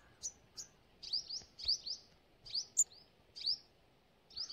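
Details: Forest sunbird calling: thin, high chips that sweep upward, often paired, spaced unevenly across a quiet background with a faint hiss.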